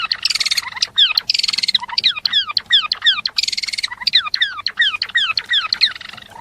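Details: Java sparrow in lively chattering song, mixing rasping noisy bursts with rapid series of clear descending whistled notes, repeated over and over in an energetic stream.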